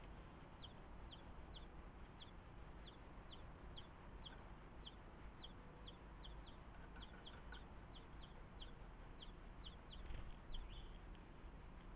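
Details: European greenfinch juvenile at a garden feeder awaiting feeding by a parent: a long run of short, sharp high chirps about twice a second, with faint lower bird notes and steady background hum.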